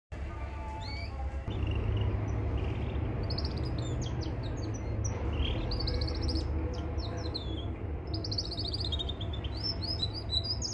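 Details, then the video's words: Mosaic canary song used for training young canaries: high trills and rapid repeated chirps overlapping from several birds, over a steady low hum. "Canary Singing Full training vedio"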